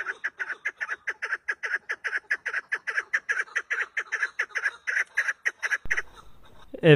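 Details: A female partridge, with feathers missing from its neck and back of head as if beaten by another partridge, gives a steady run of about twenty-five harsh, clucking notes, roughly four a second, ending with a brief thump.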